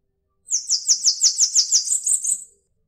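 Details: Cambacica, or Bananaquit, delivering a two-second trill of rapid, evenly spaced high sibilant notes that stay thin and buzzy throughout, ending abruptly; no other sounds.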